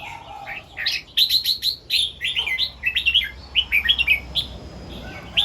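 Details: Red-whiskered bulbul in morning song, doubling phrases two to three times in 'rik' style. Rapid clear whistled notes tumble in lively strings for several seconds, with a low whistle at the start.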